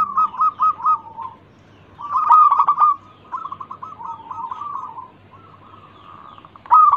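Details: Local zebra dove singing, meant to coax other birds to call. Quick bubbling coos come first, then longer trilled phrases, ending with a sudden loud note.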